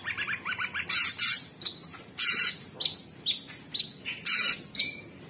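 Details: Orange-bellied Leafbird (cucak cungkok) singing in gacor style: quick descending chirp series, then loud bursts of high buzzy notes alternating with sharp whistled upslurs, repeated roughly every half second.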